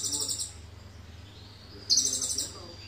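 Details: High, rapid, stuttering trill from an Indonesian sunbird with cililin-filled song, one ending at the start and another starting near two seconds, faint hum below.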